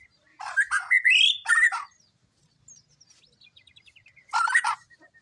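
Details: White-rumped shama singing loud, rich, varied phrases: a harsh warbled burst with a rising whistle, a quiet run of rapid thin ticking notes, then another short loud warbled phrase.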